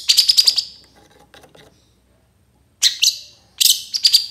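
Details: Long-tailed shrike lure song to make reluctant shrikes reply: a quick rattling string of high, harsh notes, a pause with faint soft calls, then two more loud scratchy bursts.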